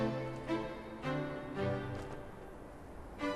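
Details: Orchestral music with bowed strings and soft swelling notes plays throughout, with no animal calls.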